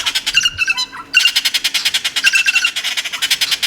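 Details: Several Yucatan Jays, a family in a garden in Riviera Maya on the Yucatan Peninsula, give harsh, rapid squawking calls in quick succession, calling over one another while gathering at a window expecting peanuts.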